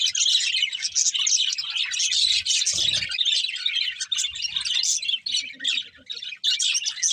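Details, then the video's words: Several budgies, happy and eating, keep up a thick, continuous chatter of high squeaky chirps and warbles, with a brief low thud near the middle and a short dip in volume later on. "Happy Budgies Singing and Eating | Love Birds Chirping Sounds"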